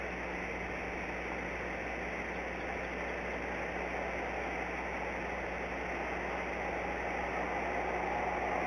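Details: Constant electrical hum and engine-like droning run throughout, with no animal calls.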